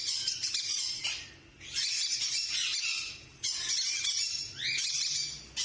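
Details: Harsh, grating squawks from blue and green monk parakeets (Quaker parrots) come in loud bursts of rasping chatter, each a second or two long, separated by brief quieter gaps.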